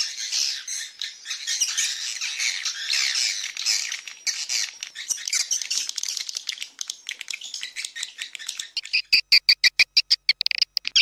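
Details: Swiftlet lure call used by swiftlet farmers: dense, high, buzzy twittering chatter that runs almost without pause, then a rapid series of sharp, evenly spaced clicks with short chirps over the last two seconds.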